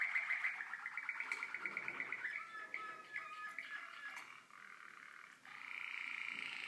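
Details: Young Waterslager canaries recorded in 2012, with rolling, water-like trills that change pitch and tempo, broken by short gaps and clicks, then a brighter sustained trill at the end.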